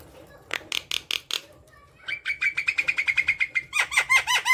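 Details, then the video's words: Javan myna chattering song meant to set lazy mynas singing: a few harsh rasps, then a long rapid trill of buzzy notes on one pitch, closing with loud arched nasal calls. "Jalak kebo gacor | pancingan jalak kebo malas bunyi"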